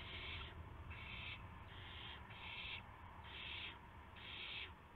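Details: Owls at a nest at sunrise, 26 March 2016, during deliveries of a gopher and a mouse. Six breathy, screechy hisses spaced about a second apart over a steady low background hum.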